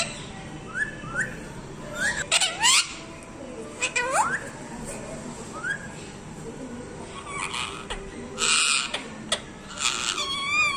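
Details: Parrot vocalising: short rising whistles, a few harsh squawk bursts and scattered clicks over a steady background hiss.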